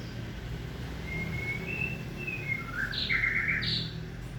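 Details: White-rumped shama, male and female being introduced and the male not tolerating the female: a series of clear whistled notes, some level and some slurred, coming faster in the second half over a low background hum.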